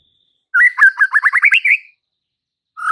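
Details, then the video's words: White-rumped shama in full song to provoke fighter males: one rapid phrase of about ten quick upslurred notes that steadily climb, ending in a drawn-out whistle, then a fresh phrase beginning. "MURAI BATU FIGHTER akan TERPANCING EMOSI NYA dengan Murai Batu GACOR INI"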